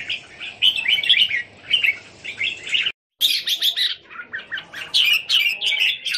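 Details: Red-whiskered bulbuls, one of three groups of kept birds at a home in Thailand, recorded 27 January 2021: dense overlapping chattering and warbled phrases, bright and bubbling, with a brief total silence near the middle.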